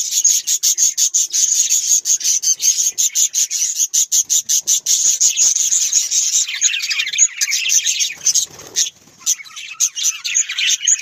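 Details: A group of budgerigars, called Australian parrots, keeps up busy high-pitched chattering. It starts as rapid, regular pulsed chirps and later loosens into scattered warbled notes, with a brief low rustle near the end.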